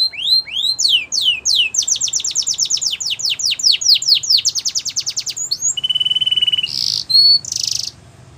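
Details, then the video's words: Canary training song: rising sweeps lead into a long even trill of descending notes about four per second, then a steady flat whistled tour and short bursts of noisy, buzzy notes. "Your Canary Will Not Stop Singing With This Training Song"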